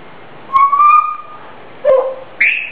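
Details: Pet grey parrot singing its own self-made tune: a sustained mid-pitched whistle, then a lower slurred whistle and a short higher rising note.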